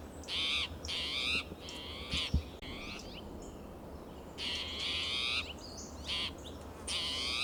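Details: Spotted towhee calling loudly and persistently in Del Monte Forest, California, June morning, territorial behaviour: bursts of three buzzy nasal calls, a pause of nearly two seconds, then a rapid run of harsh calls, low hum beneath.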